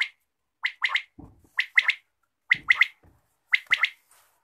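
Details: Quail calling in the morning: crisp three-note phrases, each quick triplet of bright clipped notes repeated about once a second, with soft low thumps between phrases.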